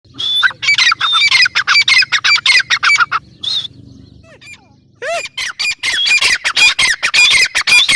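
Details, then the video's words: Grey francolin (teetar) calling: fast runs of harsh, squawky, high notes, about 105 per minute, in two bursts broken by a quieter gap with a few softer, slurred notes. "Teetar sound | teetar awaz | teetar ki awaz | gray francolin teetar sound"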